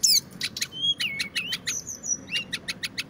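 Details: Brown-chested jungle flycatcher, a local Indonesian bird kept by songbird hobbyists, singing loudly and densely: bright whistled slurs and rapid high clicking notes in quick succession, with steady low background hum.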